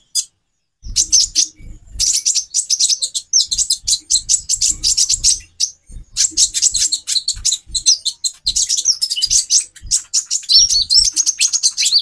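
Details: Female brown-throated sunbird, calling for male breeding arousal, delivers long rapid runs of high, sibilant chirps and twitters after a short silence, with occasional low thumps.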